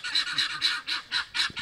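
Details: Helmeted guineafowl cackling on a French farm village square, noisy when someone arrives, being a territorial bird. Harsh, rasping, repeated calls about five times a second, loud and rhythmic.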